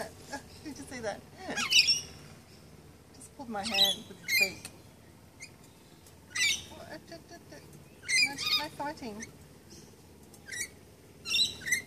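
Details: Hand-fed lorikeets, eating formulated lorikeet food in March 2015, let out clusters of grating, high squawks and quick chattering notes every few seconds, with people talking and laughing nearby.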